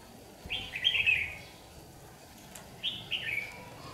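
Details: Red-whiskered bulbul lure bird singing competitively during trapping on a day of harsh sunshine, 8 July 2019, Vietnam; two short bright warbled phrases about two seconds apart, each a quick rising-falling whistled burst.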